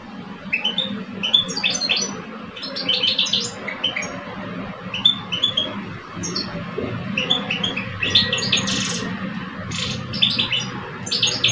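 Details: Singing duel between two caged male European goldfinches in Algeria, a seasoned older male against a two-year-old; scattered bright twittering phrases and short buzzy trills come in separate bursts, with a constant low background hum.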